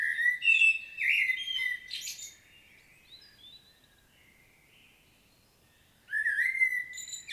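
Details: Common blackbird giving a powerful, detailed solo in Świnoujście, Poland, on 25 September 2022: rich fluting warbled phrases ending in squeaky twitters, a long pause, then a new phrase starting.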